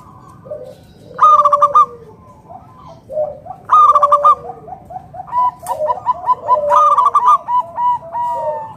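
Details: Local wild zebra dove singing, used to lure other doves into calling: quick pulsed cooing phrases repeated about every three seconds, overlapped by lower, softer cooing notes from another bird between and beneath the phrases.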